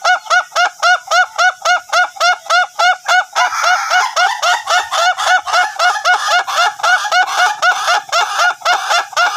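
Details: A trained duration-type Ayam Ketawa keeps up a long, laughing crow of quick repeated nasal syllables, about four a second. A brief rush of noise joins after three seconds.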